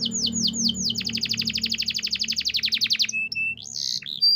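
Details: Canary song, presented as forest bird chirping: a long, loud tour of fast identical descending notes repeated many times per second, then whistled slides and a short buzzy phrase.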